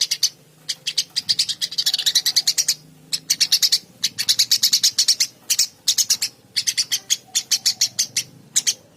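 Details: Eurasian tree sparrow singing actively: dense runs of sharp, high chirps, rapidly repeated in bursts with brief pauses between series, continuing steadily throughout.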